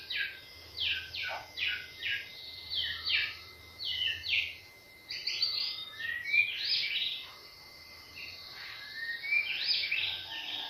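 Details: White-rumped shama song used to provoke other birds to sing: rapid series of sharp descending whistled notes repeated about every half second, then a denser, more varied warbling run of chirps, over faint low hum.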